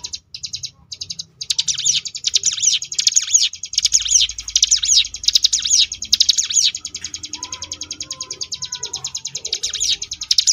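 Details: Sunda bush warbler, known locally as ciblek gunung, singing the ngebrem variation style used as tutor song for contest birds: a fast, dense buzzy rattle of high repeated notes with sharp whistled sweeps, broken by short pauses.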